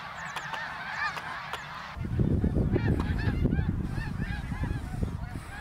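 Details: Migrating greater snow geese over Ottawa, Canada, in autumn 2021, in huge numbers; sharp, repeated nasal honks from many birds, several per second, clear at first, then partly buried under heavy low wind rumble.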